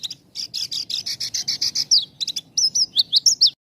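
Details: Close-paused Javan bush lark song for drawing out untrained and half-trained birds: a rapid series of harsh, buzzy, evenly spaced notes, then a pause and bright whistled notes that dip and rise.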